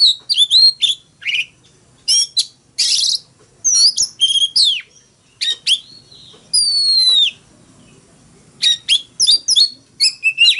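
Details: Oriental magpie-robin singing a fighting song: bursts of sharp, high whistled and scratchy notes, some long clear whistles and downslurred slides, broken by short pauses.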